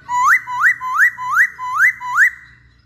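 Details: Masked laughingthrush lure song, six loud upward-slurred whistles repeated evenly about every third of a second.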